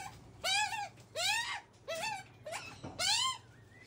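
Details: Baby Australian magpies begging as their mother feeds them, seen close up: five loud nasal squawks, each rising then levelling off, coming about every two-thirds of a second with brief gaps between.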